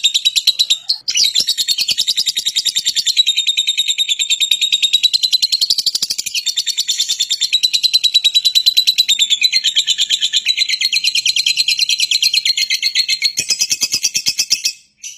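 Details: Lovebird producing a long, nearly nonstop shrill chatter: rapid rasping pulses, high and piercing, keeping a steady fast rhythm for about fifteen seconds before cutting off at the very end.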